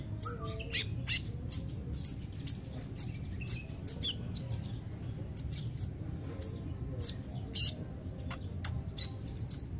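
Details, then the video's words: Kolibri ninja (olive-backed sunbird), played to encourage lazy singers: a long run of sharp, high chip notes repeated about once a second, with some thin twitters in between, over a low background drone. "Terapi kolibri ninja (konin ) yg males bunyi"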